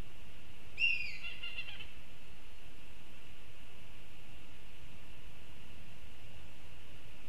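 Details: A black kite in Kurzeme, Latvia, gives one brief, shrill whistled call, wavering then falling, near the start. Afterwards only a steady high hum and low wind rumble remain.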